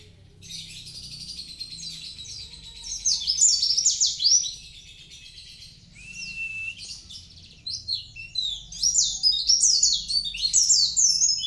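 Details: Kintamani mountain white-eye singing 'gacor', with rapid, high, tumbling twitters in bursts and a brief steady whistled note midway. The phrases grow louder and denser toward the end.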